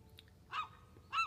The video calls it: Baby gull's early morning wake up call